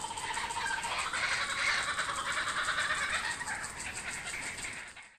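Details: Kookaburras back at an Australian home, a fast rolling chuckle of overlapping harsh notes, steady and then tapering off at the end.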